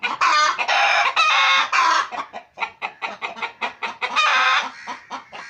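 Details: Pet chickens at home give three loud, rasping, drawn-out squawks in quick succession, then a steady series of short punchy clucks, one more long harsh call, and fading clucks.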